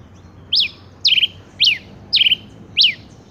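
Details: Male rufous-collared sparrow repeating five piercing high notes roughly every 0.55 seconds. Inverted-V slurs alternate with falling notes broken into a short trill. Background is quiet apart from a low hum.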